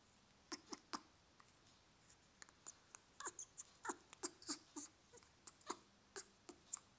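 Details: Two-year-old captive grey parrot, male, making a little squeaking noise right after regurgitating, a mating behaviour; short sharp squeaks and clicks in irregular bursts, some high and thin, over a quiet indoor background.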